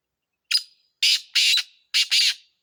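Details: Black francolin (kala teetar) calling: a short harsh note followed by two pairs of loud, grating, broadband rasping notes, each about a quarter second long, with a clean, quiet background.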